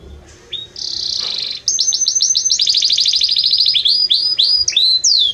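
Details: Belgian canary in strong, warm song: a soft start, a sustained high buzzy note, then a long fast rolling trill ending in loud curved whistles.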